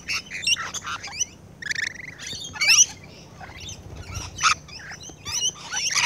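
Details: Rainbow lorikeets feeding up close, giving sharp piercing squawks and rapid twittering notes in irregular clusters, some louder screeches standing out, over a faint steady hum.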